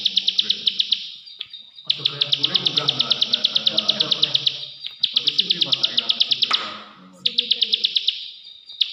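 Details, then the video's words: Rapid bursts of dry, high clicking from a plain prinia (prenjak sawah), each run lasting a few seconds with short pauses between, over a faint low rumble of background noise. "prenjak sawah/prenjak klik2"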